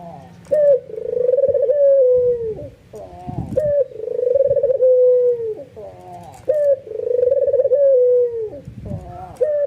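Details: Excited, nodding white albino ringneck dove whose cooing draws other doves in; three repeated coos about three seconds apart, each an abrupt note and a long pulsing roll, separated by soft lower murmurs.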